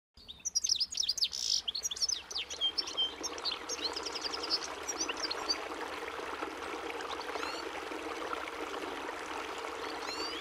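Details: European goldfinch (Carduelis carduelis) singing: a rapid, liquid twittering of high, sharply modulated chirps and trills, densest in the first three seconds, then fading to scattered notes over a steady rushing background noise.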